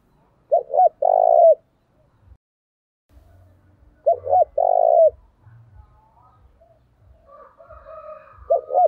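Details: Caged decoy spotted dove calling to provoke fights: two short hooked coos then a long, steady hooting note, phrase repeated about every 3.5 seconds, with faint low thumps and a brief higher whistle near the end.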